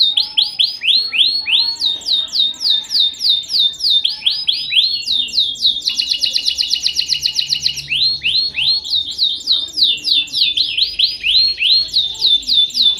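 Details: Domestic canary song in rolling phrases, downward-sweeping whistled notes repeated in quick series, switching to a dense rapid trill midway, then back to loud swept notes; strong, continuous and ringing.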